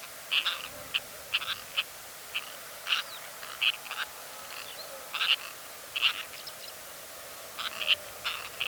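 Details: Kazakhstan, 2013: one or two Sociable Lapwings give clipped, grating calls, spaced irregularly over several seconds, sometimes in quick pairs, against a quiet open background.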